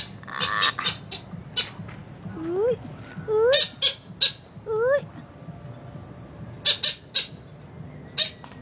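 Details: Philippine eagle giving an odd, funny-sounding call: three short upward-sliding whistled notes. Each is rich in overtones and comes about a second apart. Sharp clicks and taps are scattered before and after.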